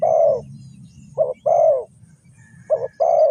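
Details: Dove used as a trap lure, giving loud low cooing notes, a long coo then short and long ones in pairs about every 1.5 seconds, over a steady low background rumble.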